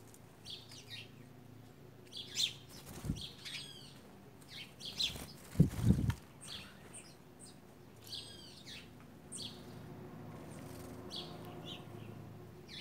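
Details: A gang of white woodpeckers takes over: short, harsh, arched chirps repeat in loose bursts, several overlapping, with wing-flapping thumps and low rumbling background.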